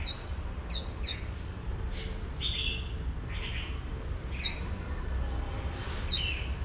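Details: Female oriental white-eye prompting a wild-caught male to sing líu: clusters of sharp high falling notes and a few longer buzzy phrases, over constant low background hum.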